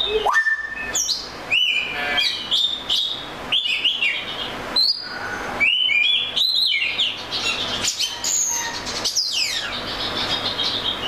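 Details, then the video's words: Oriental magpie-robin song: a long run of loud whistled notes, rising and falling slurs and quick trilled phrases, highly varied and delivered almost continuously. "The Melodic Tunes of the Oriental Magpie Robin Bird"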